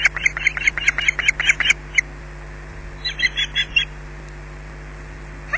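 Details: Nest-camera osprey in Scotland, attacked at the nest, squawks in a quick burst of high, piercing calls that grows louder, falls silent, then gives a short softer cluster.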